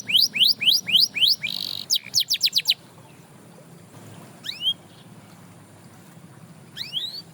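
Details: Canary singing to inspire other canaries to sing again: a quick run of repeated rising-falling whistled sweeps and a brief buzzy note for nearly three seconds, then near quiet with a few isolated upslurred whistles, over a faint low hum.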